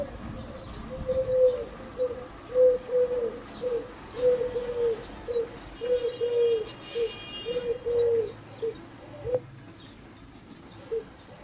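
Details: A long series of soft, mellow pigeon coos at an even low pitch, each phrase a pair of rounded notes, with a faint high tone briefly in the background.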